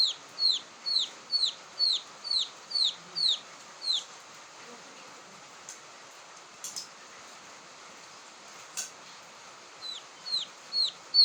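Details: Young quail peeping, a sound suited to luring birds in; about nine sharp, high, falling whistles roughly every half second, then a pause with a few clicks, and the peeps resume near the end.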